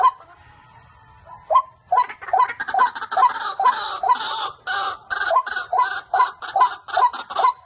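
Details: A white-breasted waterhen, one of many calling males at a trapping site, begins with a short drawn note, then launches into a fast, steady run of croaking, accented notes repeated over two per second.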